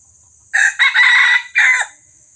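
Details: Red junglefowl crowing as a lure for wild birds in Johor: one short crow of three harsh, rasping segments, the middle one longest, ending abruptly, over a steady high electronic whine.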